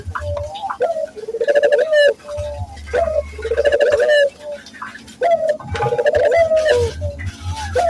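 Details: Barbary dove, recorded to train local doves to coo. Several cooing phrases with a rising pickup note and a vibrating level purr, spaced about two seconds apart, with a low buzzing hum in the pauses.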